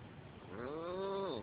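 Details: Female pet African grey parrot, prompted with "what's the cow say", imitates cows with a single drawn-out moo about a second long that swells, holds, then drops, over a faint hum.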